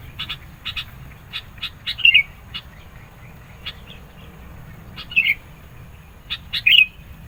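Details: Insistent sooty-headed bulbul song meant to provoke rivals and draw birds in: three short, clear, downslurred whistles spaced a few seconds apart, with sharp dry ticks sounding repeatedly between them.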